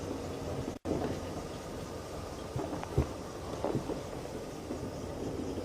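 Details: Low rumbling and steady rain-like noise, with a brief dropout near the first second and a few soft knocks; no animal voice stands out.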